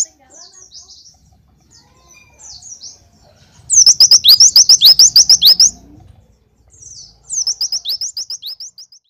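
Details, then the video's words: Oriental white-eye singing in the 'tembakan glatik' style, full version: soft, scattered high twitters, then a loud burst of rapid, sharp, high chirps for about two seconds, a brief pause, and a second fast burst. "Pleci tembakan Glatik Full"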